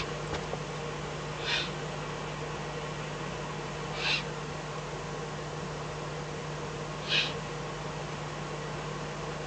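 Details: Eifel Eurasian eagle-owl at night on 24 May 2014, fox brought as prey-food. Three soft, breathy hisses spaced roughly every two and a half to three seconds, fairly distant, over a steady background hum.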